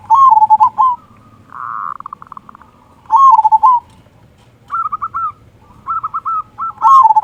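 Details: Local zebra dove, a frequent singer with a big "kung" voice, used as a lure to start other doves singing: loud rolling coo bursts alternate with a buzzy held note and higher, clipped coo phrases, over about seven seconds.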